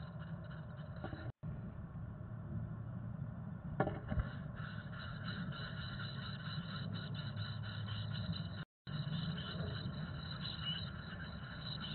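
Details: Low, steady rumbling background noise with brief dropouts and a couple of faint knocks, and no clear animal calls.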